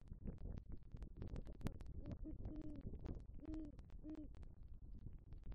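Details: Male great horned owl in southwest Florida bringing rodent prey to the nest tree at night in November 2023 and calling for the female: a run of low, soft, steady hoots over constant rumbling background noise and scattered clicks.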